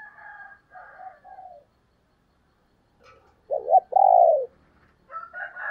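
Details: Female spotted dove cooing: after some softer fluttery notes, two short low coos then a longer, louder, falling coo, followed by higher mixed notes.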